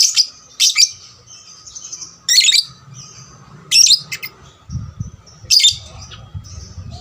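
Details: Young lovebird calling to stimulate other lovebirds to sing more; strident, scratchy high chirps in pairs and single bursts about every one and a half seconds, with thin trailing notes and a low rumble between.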